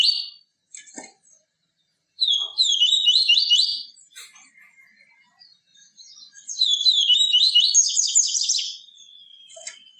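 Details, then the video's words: Yellow-bellied seedeater singing, used to warm up and teach caged birds: short clicks, then two long bursts of rapid high, trilled warbling, the second ending in a thin drawn-out whistle. "CANTO DO PAPA CAPIM TUI TUI VIVITI, CANTO PURO"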